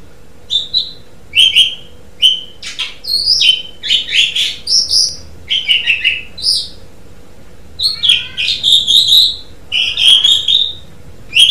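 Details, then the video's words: Asian pied starling singing gacor: a long sequence of short whistled and chirped phrases spaced roughly half a second apart, growing denser and more rasping toward the end. "Suara Burung Jalak Suren | Gacor"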